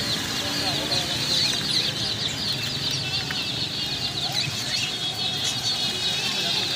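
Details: Crowd of young chicks, among new chicks and birds being bought, giving rapid high-pitched peeps that overlap into a continuous shrill twittering, steady in loudness with faint low background noise.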